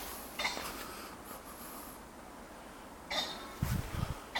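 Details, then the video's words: Male ring-necked (common) pheasant courting a female in Songcheon-dong, Jeonju, South Korea, gives short, harsh, raspy bursts, then a low muffled fluttering thump. "수꿩의 암꿩에 대한 뜨거운 구애의 목소리 ..The Sound of Ring-necked pheasant"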